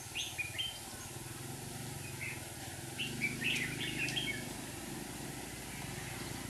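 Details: Red-whiskered bulbul decoy singing from a trap to lure wild rivals, trapping in Hòa Bình with two decoy birds; short whistled phrases near the start and a burst in the middle, over a steady low hum and background noise.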